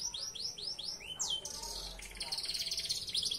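A Belgian Bossu canary sings a quick series of bright, arched whistled notes, then a sweeping slur into a rapid, buzzy high trill.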